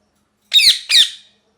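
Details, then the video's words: Two loud, rasping parrot screeches close together, each with a harsh, buzzy quality and a quick fade. "Parrot Chirping Sounds | Natural Parrot Sounds | Parrot Calling Sounds"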